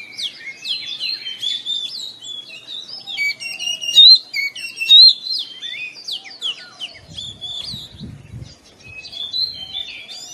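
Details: Oriental magpie-robin morning song, a busy mix of varied whistles, buzzy slurs and chirps, with two loud piercing whistled notes midway and some low thumping noise later.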